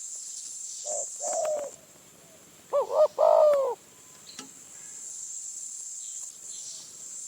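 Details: Spotted dove at a decoy trapping spot in Phrae, Thailand: a few soft coos, then a loud hollow coo phrase with a slightly rising start and falling end, with a shrill insect hum behind.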